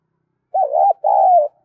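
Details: Spotted dove lure call from Dong Nai: one wavering, bubbling coo followed after a brief gap by a longer, evenly held coo that drops slightly, with no other sounds.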